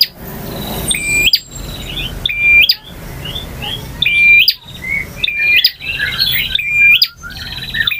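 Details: Male bar-winged prinia in variation song: flat whistled notes with upturned ends, interspersed with quick chirps and buzzy trills, repeated steadily over eight seconds.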